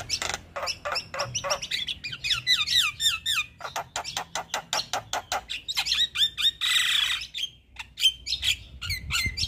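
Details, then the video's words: Male Javan myna singing energetically, used as a tutor recording for training other mynas; rapid harsh rasping notes mixed with whistled upslurs and squeaky bursts, dense and varied, with a long scratchy burst near the middle. "Burung Jalak Kebo Jantan Super Gacor"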